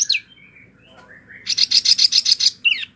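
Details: Mini wambie song for training other birds: a few slurred whistles, then a fast buzzy rattle of about eight harsh repeated notes, ending in a sharp downswept squeak.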